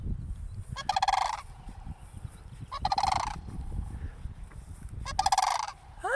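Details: Cranes beside a church, calling while a person approaches: three coarse, buzzing rattle bursts spaced about two seconds apart over low background noise, with a short rising note near the end.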